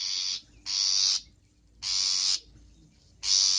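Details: Long-tailed shrike in a training recording full of varied song content: long, loud rasping screeches, each about half a second long, with short gaps between them.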